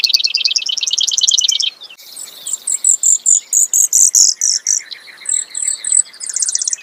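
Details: A Brewer's sparrow delivers a fast buzzy trill, then a run of very high clear repeated notes, ending in another rapid rattling trill; no other sounds stand out.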